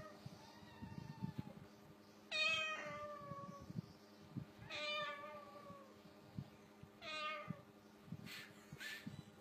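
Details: A cockatoo mimicking a cat gives three loud, harsh, meows about two and a half seconds apart, each sliding down in pitch, then two short hissy bursts, hissing at cats, over a low indoor rumble.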